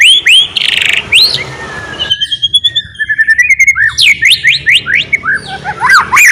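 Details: White-rumped shama in full song, used to prompt other shamas to start singing: a rich, varied run of loud whistled upslurs, sweeping notes and fast rhythmic trills, with rapid chattering phrases and repeated rising whistles near the end.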